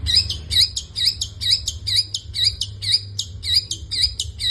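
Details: Long-tailed shrike in lively 'isian' song. Crisp chirped notes, each with an upturned slur, repeated evenly about twice a second, with a faint low background hum.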